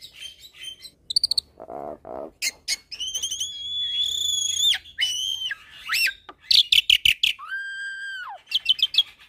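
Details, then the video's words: Masteran training mix of Asian pied starling, Nias hill myna and a hybrid starling with unique varied phrases. Long level whistles, a low buzzy burst, rapid clicking notes, and a falling drawn-out whistle near the end. "Masteran Jalak Suren dan Jalak Nias Dengan Kicauan Jalak Hybrid Nias X Suren Gacor Isian Unik"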